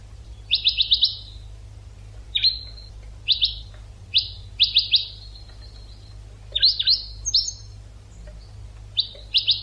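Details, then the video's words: European goldfinch song from an educational recording made for training birds: short bursts of bright, rapid, twittering trills and quick tinkling notes, repeated in clusters about a second apart, with faint low hum beneath. "ekpedeutiko.karderina (educational goldfinch)"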